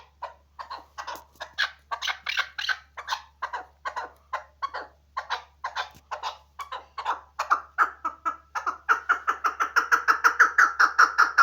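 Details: Chukar partridge kept for hunting, its clucking 'chuk' series speeding up and growing louder into a rapid, rhythmic chatter near the end, with a faint low hum in the background.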